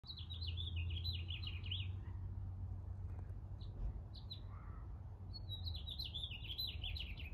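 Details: Birds chirping outdoors as someone arrives home: bursts of rapid, high, twittering chirps in quick descending runs, pausing midway and resuming, over a steady low rumble of background noise.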